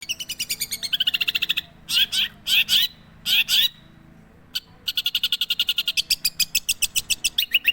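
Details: Long-tailed shrike singing: fast runs of sharp ticking notes around mid-high pitch, broken by short harsh rasping bursts, then resuming rapid evenly spaced clicks with a few sliding whistled notes at the end.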